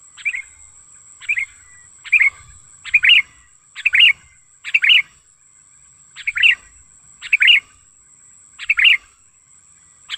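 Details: Wild sooty-headed bulbul lure call used to tutor and attract bulbuls: single sharp, slightly buzzy chirps repeated about once a second, with a thin high whine in the background.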